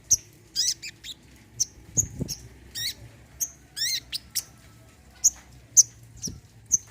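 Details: Olive-backed sunbird, offered as a recording to prompt birds that have stopped singing: sharp, very high chips spaced irregularly, with short buzzy rising trills and sweeping notes around the middle. Background is otherwise quiet.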